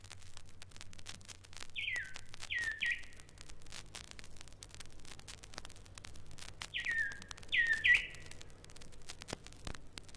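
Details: Rüppell's robin-chat in East Africa mimics an emerald cuckoo with clear, falling whistled phrases, mostly in pairs, with a pause of several seconds between pairs, over a faint low hum.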